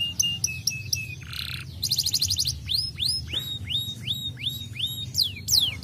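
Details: Singing canary played to encourage lazy canaries: flat whistled notes, a low buzzy burst, a short pulsed trill, then a series of rising hooked whistles ending in quick downward sweeps.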